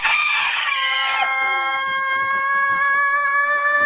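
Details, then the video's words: Rooster crowing before dawn on a farm: a loud, sustained, strongly harmonic tone that holds steady and slightly wavers for nearly four seconds after a harsher, noisier start. "Galo Cantando"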